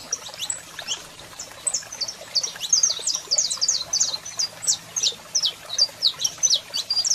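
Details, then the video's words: Saffron finch, a male singing heavily while a female calls, used to fire up other birds: dense run of sharp, high, down-slurred chirps that builds into rapid bursts, with a faint low hum beneath. "Canario da Terra Cantando Muito e Fêmea Chamando Top Para Foguear!!!"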